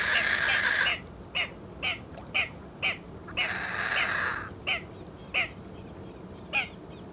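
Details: A little blue heron in Santa Catarina, Brazil, gives two long, hoarse squawks, separated by short clipped croaks about twice a second, over a steady low background rumble.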